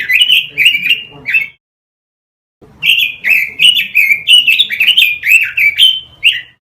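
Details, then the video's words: Robin song meant for training caged birds: a short burst of quick whistled warbles, a one-second gap, then a longer, lively string of high, sliding chirps repeated in quick succession. "Masteran suara burung ROBIN"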